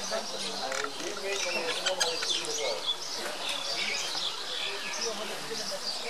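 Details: Common mynas (Acridotheres tristis) in Kaziranga, Assam, India, on 15 February 2017 keep up a steady, busy chatter of overlapping harsh squawks, gurgles and short whistles.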